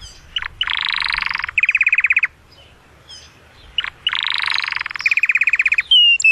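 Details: Canary in excited song to stimulate the female for mating: loud buzzy rolled trills followed by rapid staccato repeated notes, a pause, then the same pattern again ending in a clear whistle.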